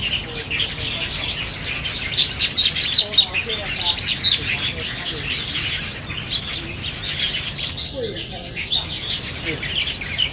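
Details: A flock of black bulbuls squabbling over banyan figs at Niaosong Wetland Park, 4 November 2015, keeps up dense, overlapping chatter of high, squeaky and nasal notes, with faint voices in the background.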